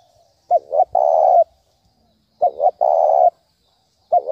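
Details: Low cooing of a spotted dove, the 'thúc bổi' call used as a trapping lure to excite decoy birds. Two full phrases of a short double note followed by a long flat coo, then a third phrase just starting. Background quiet.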